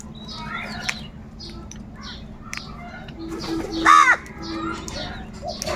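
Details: Crows calling as they search for food: one loud, rough, drawn-out caw stands out midway, set among many faint chirps and short calls from other birds over a low, constant hum.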